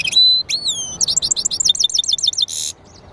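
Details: Close singing from a hybrid goldfinch-canary mule: clear whistled notes sliding downward, then a quick string of repeated chirps, ending in a short harsh buzz.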